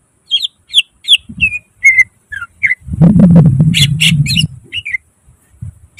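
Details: Greater green leafbird (cucak ijo) in full isian song. Quick whistled, slurred notes, interrupted midway by a loud low rumbling burst, then more sharp chirps.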